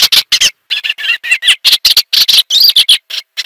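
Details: Eastern olivaceous warbler giving warbly, catchy song: rapid chattering run of short scratchy notes around the mid-high range, bursts broken by brief gaps, no other sounds heard.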